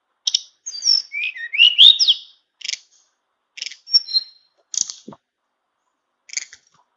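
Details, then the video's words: Tame caged flowerpecker in flute-like song: an opening tangle of swooping whistles and slurred phrases, followed by short, evenly spaced high chirps about once a second, with quiet gaps between them. "Burung Tledekan Jinak nyuling full isian"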